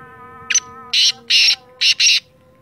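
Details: Black francolin (Sindhi teetar) calling: one short note, then four harsh, grating notes in two pairs, over sustained musical tones.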